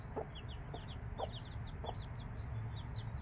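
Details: Mother hen with five-day-old chicks: three short, low clucks about half a second apart stand out against rapid, high, descending peeps from the chicks, with a steady low hum underneath.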